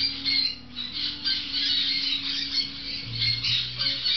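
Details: Six-week-old grey-cheeked parakeet chicks munching on fresh food: a dense, continuous chorus of harsh, raspy squawks and chatter with little pause between calls, recorded indoors.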